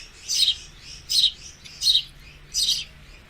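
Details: Harsh, broad sparrow chirps, four in about three seconds, from a male voicing while two females fight.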